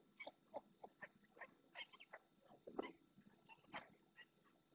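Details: A ringed red-knobbed coot, a critically endangered species, in the Doñana marshes, Spain, gives a series of short, hoarse, clucking notes, about two a second, uneven in pitch and loudness, over a quiet marsh background.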